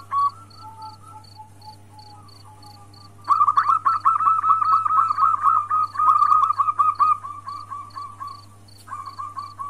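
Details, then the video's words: Female zebra dove, a local Indonesian bird, calling the male, used to bring males into breeding condition; soft low notes at first, then fast runs of short cooing notes with brief pauses over a steady hum and regular high beeps. "Suara perkutut betina memanggil jantan"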